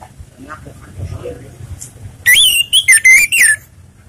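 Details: Relaxed song of an orange-headed thrush, the kind used to lure other birds. After a quiet stretch comes a rapid run of five loud, clear whistled notes in a little over a second, wavering up and down.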